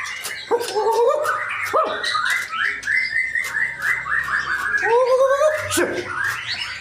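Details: Male white-rumped shama from Indonesia delivering rich, mellow whistles that swoop downward, then a rapid string of repeated chattering notes, with faint low background noise beneath.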